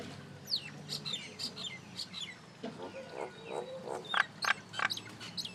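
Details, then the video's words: A little common myna making noise: a busy run of varied chirps, short whistled slurs and harsh notes at an uneven pace, with a low rumbling background hum throughout. "Mynah Bird Acridotheres tristis, Little Mynah Bird making Noise"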